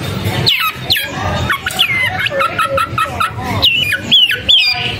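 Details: Long-tailed shrike in varied song, mixing whistled notes that drop and level off with short repeated chips and a few twisting slurs, against a low murmur.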